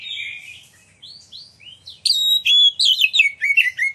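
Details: Magpie-robin song used as a lure so other magpie-robins sing and fan their tails: soft buzzy and slurred notes first, then loud, bright high whistles and rapid chirps.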